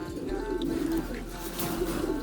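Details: Pigeon kept in the Philippines, with low repeated cooing notes forming a steady hum near the bottom of the range, overlaid by rustling, scattered clicks and faint background noise.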